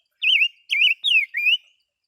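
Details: Caged songbird kept for two years, singing four clear whistled phrases, each rolling down and then up in a warbling loop, separated by short pauses; no other sounds.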